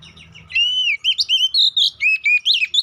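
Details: Kacer poci, the Oriental magpie-robin, singing a provoking lure song meant to excite rival males: a steady stream of bright whistled phrases in quick, evenly spaced bursts, each sweeping up and down, with a faint low hum beneath.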